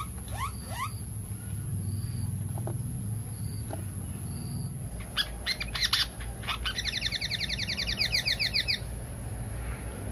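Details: Pied fantail lure call, used to attract birds: scattered sharp chips, then a fast run of rhythmic buzzy notes repeated in a tight series over a steady low hum.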